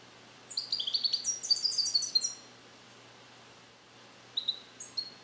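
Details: Caged European goldfinch born in 2021, trained with Neapolitan song passages that it is beginning to repeat though not yet complete: a rapid run of high, tinkling, twittering notes, then a pause and a few sparse chirps over faint hiss.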